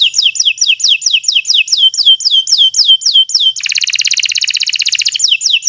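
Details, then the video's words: Canary in full, long song used as a master recording for teaching other birds: a run of quick falling whistled notes repeated about four per second, then a dense buzzing rapid trill, ending with falling notes. "Kicau Burung Kenari 156 II LUAR BIASA GACOR PANJANG Cocok untuk Masteran"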